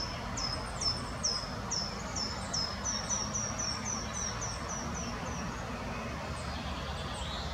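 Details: Spotted flycatcher in the Botanical Garden, Munich, giving a run of thin, very high squeaky notes about twice a second over a steady low rumble from wind or distant traffic.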